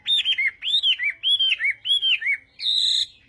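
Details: Chinese hwamei morning song for voice training in fighting-song style, made of arched, whistled phrases paired with a lower slurred note, repeated three times, then a high, buzzy trill.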